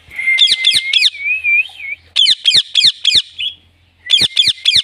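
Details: Green Indian ringneck parrot giving natural sounds presented as talking: bursts of three to four sharp, harsh chattering notes in quick succession, separated by a thin steady whistled tone and short pauses.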